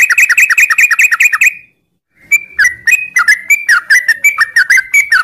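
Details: In the morning, a sooty-headed bulbul sings the long 'ngropel' song, a fast, even run of short falling whistles. A short pause follows, then a looser series of slurred, whistled notes.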